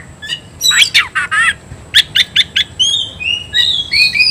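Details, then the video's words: Oriental magpie-robin fighting song aimed at rousing rivals: a few rough buzzy notes, then four quick sharp chips, followed by a sequence of high clear whistles sliding up and down. "KICAU KACER TARUNG"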